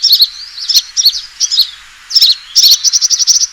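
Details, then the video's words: Sunbird fighting call for luring birds: scattered high twittery phrases with a clear silent gap in the middle, ending in a fast, even series of piercing chips. "suara pikat burung kolibri tarung"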